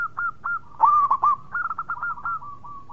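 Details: Perkutut, the zebra dove, in gacor song: a few spaced coos, then a louder rapid trilled burst, then a run of short evenly paced cooing notes trailing off.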